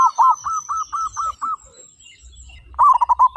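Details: Zebra dove of a local strain in full song with a big voice. About eight evenly spaced rolling coo notes give way to a brief lull, then a dense burst of trilled notes. A thin high whistle runs above.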